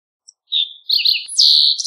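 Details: Green-tailed towhee sings a brief high phrase: a short slurred note, then a wavering buzzy section and a sharp downslur into a bright, sustained buzz, all well above two kilohertz in otherwise silent surroundings.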